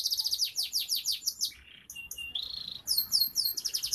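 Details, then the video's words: F2 canary in lively song, bright rapid trills of high falling notes broken by short flat buzzy tones and a sustained whistle, then more quick trills. "Kenari F2 Gacor"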